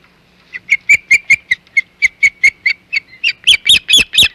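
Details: Osprey calling at its Hog Island nest at lunchtime, 6 July 2020: clipped, piercing chips that start softly, grow steadily louder and end in a burst of harsher, higher notes.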